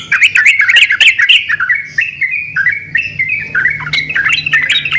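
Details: Energetic yellow-vented bulbul song with birds answering each other: a busy burst of scratchy, bubbling notes, then a string of smooth whistled notes stepping between pitches, before the chatter picks up again over a soft hum.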